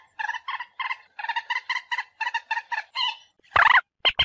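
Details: Common moorhen (Gallinula chloropus) giving a fast run of nasal, clucking notes in stuttering bursts, about a dozen in three seconds, ending with a few loud, harsh clacks.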